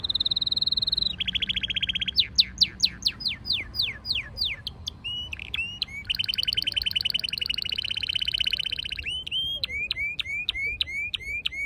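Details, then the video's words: Canary singing beneath wisteria blossoms in Nara Park, Japan: varied phrases of steady high trills, runs of descending whistled sweeps, a buzzy pulsed rattle, and a closing series of quick downward notes. "Singing voice of 🐤Canary"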